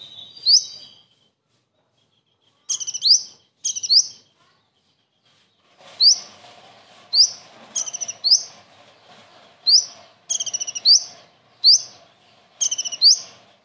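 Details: Kingfisher-style material sung by a common iora: shrill upslurred notes, sometimes doubled or tripled, delivered in bursts with short pauses, becoming steady and regular in the second half with a low hum beneath.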